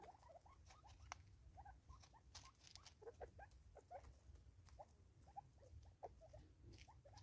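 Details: Feeding together in South Africa in 2024, five Natal spurfowl produce soft rhythmic notes, short mid-pitched calls repeated irregularly several times a second, mixed with sharp clicks over a low rumble.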